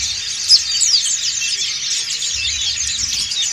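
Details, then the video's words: Many white-eyes of the dakun and montanus types singing together in ngriwik style, used to train and stimulate silent birds; a dense, continuous wash of high, rapid twittering and squeaky chips with one brief louder note early on. "PLECI DAKUN NGRIWIK BERJAMAAH"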